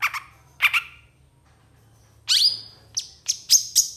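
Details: Long-tailed shrike in agitated song, said to answer other shrikes quickly, with a tutor-style varied repertoire; scattered harsh double notes, a gap, then sharp high whistled chips and a buzzy slide.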